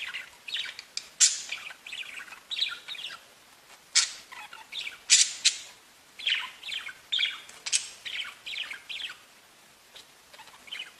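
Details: Singing, chirping budgerigars: a busy, irregular warble of scratchy chirps and sharp high squeaks, rising and falling in loudness, over light background hiss.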